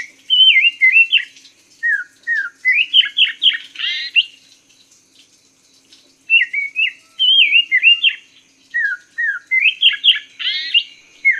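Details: Cage-bird tutoring song of the Chinese hwamei. Two long, rich phrases of varied whistles, trills and emphatic rasping notes are separated by a short pause. The phrases build to loud, rapid flourishes.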